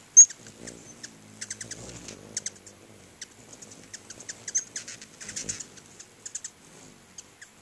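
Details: Hummingbirds visiting two feeders in front of a house produce continual high, dry ticks and squeaky chatter, clustered irregularly, with a soft low background murmur.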